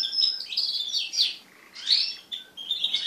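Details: Crested canary song from mated pet birds, a high bubbling warble of slurred trills and quick chirps broken by two short gaps.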